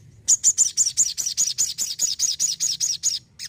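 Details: Crimson sunbird, described as energetic, delivers a steady string of high, bright chip notes, roughly four per second, each slightly arched, ending with a brief pause and a final note.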